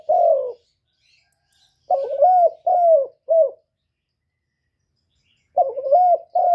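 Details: Spotted dove cooing used as a kích bổi lure to excite other doves: mellow, low coos in groups of two and three, with gaps of one to two seconds between phrases and no other sounds.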